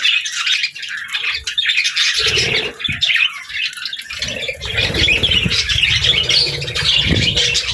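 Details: Pet budgies kept with lovebirds, playing and eating together, give dense, scratchy high chirps and chatter that run almost without a break, with short low thumps and handling noises in the middle.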